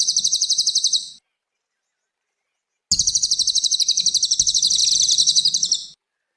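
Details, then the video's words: Cililin songbird in full song for training young cage birds: a brief high rattling trill, a silence of nearly two seconds, then a longer, even, rapidly pulsed bright trill lasting about three seconds. "Masteran kicau burung cililin gacor"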